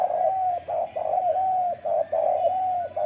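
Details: Spotted dove, described as a prolific cooer, giving a steady run of mellow, hollow coos, each slightly drawn out and falling at the end, delivered in close succession with short breaks between phrases.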